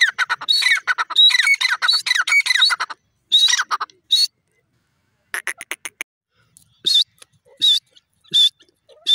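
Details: Grey francolin (desi teetar) calling: burst of harsh chattering squawks, then scattered shorter strident notes separated by silent gaps.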